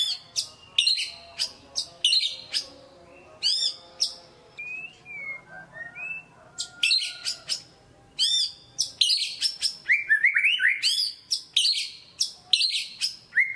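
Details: White-rumped shama kept as a caged songbird, its lively song used as a lure to excite a reluctant bird into singing: fast bursts of sharp high chips and rising whistles, a few drawn-out slurred notes midway, then dense rolling phrases.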